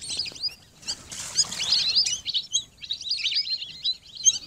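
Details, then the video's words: Lesser whistling duck: a dense chorus of short, high whistled chirps and twitters that overlap and rise and fall in bursts, with brief quieter gaps. "Lesser whistling Duck Best New Sound 2021"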